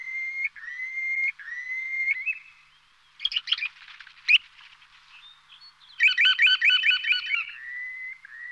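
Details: Bird calling: clear whistled rising notes repeated several times, then bursts of sharp chattering and a rapid stuttered series of ringing notes, ending with another rising whistle; quiet background.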